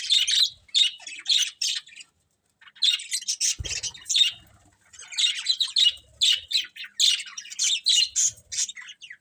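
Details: Budgies chatter in rapid scratchy chirps grouped in short runs, a near-silent gap after two seconds with a single soft thump, then chirping resumes in steady bursts.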